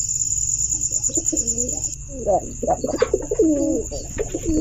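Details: Pigeon cooing in short, throaty, wavering phrases with a rising-falling burble near the end, accompanied by a steady high tone and low background hum.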